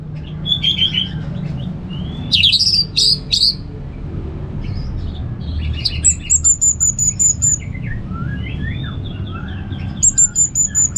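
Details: Varied, rambling song from an orange-headed thrush in the ngeplong style. Quick whistled notes, a loud cluster of sharp high phrases and thin high trills mix with softer twittering over a constant low hum.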